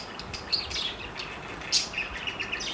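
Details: Four parakeets flirting, giving short high chirps and squeaky notes, with sharper peaks near the start and in the middle, over a soft steady background hiss.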